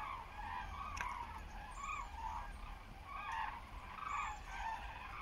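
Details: A flock of common cranes flying over Frankfurt am Main-Preungesheim toward the west-southwest at 14:45 on 17 October 2023, under cloudy skies, gives loud, rolling trumpeting calls, several birds overlapping in bursts about every second, over low wind rumble.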